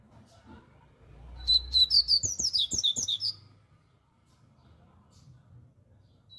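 A double-collared seedeater bursts into a loud, fast two-second phrase of about a dozen bright, high chirping notes, with a few faint knocks underneath.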